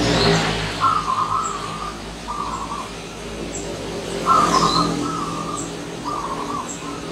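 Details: Wild local zebra dove singing at morning: paired trilling coo phrases, a longer rolled note then a shorter one, given twice. Scattered high chirps of other birds and low background hum.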